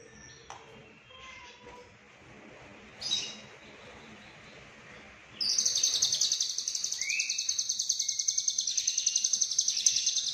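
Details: Cililin lovebird, konslet song full isian: quiet background with faint noise for five seconds, then one long unbroken high buzzing trill with rapid even pulses, plus brief lower sliding notes.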